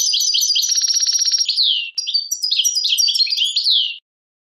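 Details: Goldfinch, European, singing 'tadmait' song in Algeria: a fast, buzzy, rattling trill, then a slurred downward note, a brief break, and a lively run of varied twittering and sliding whistled notes.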